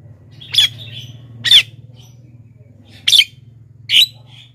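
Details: Lure calls of a black-winged myna for drawing in wild birds: four harsh, scratchy squawks in two pairs, over a steady low hum.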